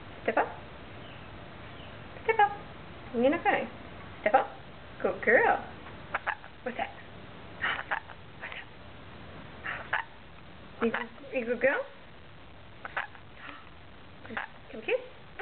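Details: A pet rainbow lorikeet chatters in short, speech-like bursts of a second or less, spaced irregularly with brief pauses between them.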